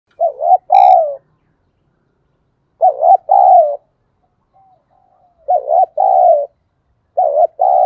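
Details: Decoy spotted dove giving its calling coo: four two-part phrases, each a short wavering note followed by a longer, slightly falling coo, repeated about every two seconds in silence.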